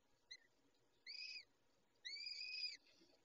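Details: During feeding, a peregrine falcon gives a brief clipped note followed by two longer, arched, harmonic wails, the last nearly a second long, with faint background hiss.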